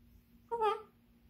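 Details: A pet galah cockatoo, let out indoors, gives one brief, harmonic, slightly nasal call that swells and then fades, over a faint steady indoor hum.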